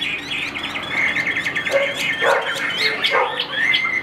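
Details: A cage-kept Chinese hwamei, about 85–90% tame, outdoors on an overcast day as rain threatens, sings a rich, fast run of varied whistles and slurred notes, mostly high-pitched, with some lower burry phrases mixed in.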